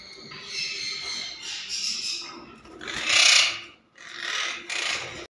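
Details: A monk parakeet gives four harsh, raspy screeches in about five seconds, the third loudest; no other sounds stand out.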